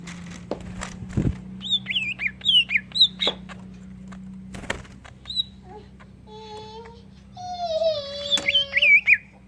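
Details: Greater green leafbird song with kingfisher imitation, used to prompt other leafbirds: clear looping whistled notes and sharp clicks, then a nasal, buzzy, harmonic phrase and a final burst of twisting whistles over low hum.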